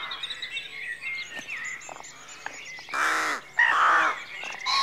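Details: Rooks calling at dawn in a rookery: thin background chatter at first, then two strong, coarse, drawn-out caws in quick succession and the start of another.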